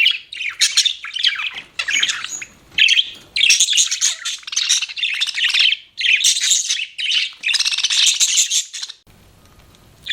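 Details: Pet budgie producing choppy bursts of grating chatter and shrill chirps, steady for nine seconds then falling silent apart from faint room hum.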